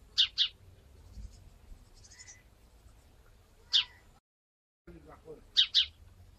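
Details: House sparrow recorded in Wittlich in 2017, giving quick paired chirps, a doubled note at the start, a single one midway and another pair at the end, separated by quiet stretches with soft background hum.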